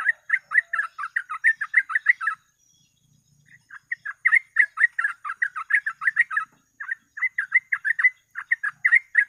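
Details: Sooty-headed bulbul delivering energetic 'gacor ropel' song meant to lure birds into traps: long chains of quick, rich whistled notes broken by two short pauses, clear and loud throughout.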